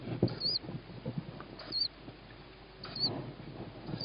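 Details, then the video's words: Tawny owl chick begging during feeding, 21 May 2017 at 21:38; three brief, shrill, wavering screeches about 1.3 seconds apart amid scratchy patter and rustling. "Tawny Owl-Small hears Mom,first food for sib on roof,then feeding"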